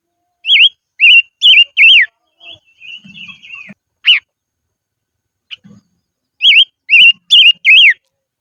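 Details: Highland decoy silver-eared mesia: a phrase of four loud undulating whistles, then a soft warbling twitter and a single sharp note, a pause, and another phrase of four matching swooping whistles.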